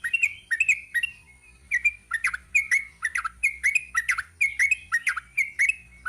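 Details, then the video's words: A sooty-headed bulbul in 'ropel panjang' song gives a steady stream of short, clipped, slurred notes in small clusters, repeating rapidly for several seconds. "Kicau TRUCUK ROPEL PANJANG."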